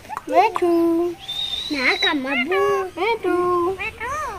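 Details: Pet Indian ringneck parakeet chattering imitated words in a grating, nasal voice, syllables swooping up and down, a long level whistle in the middle, phrases repeated quickly with brief gaps.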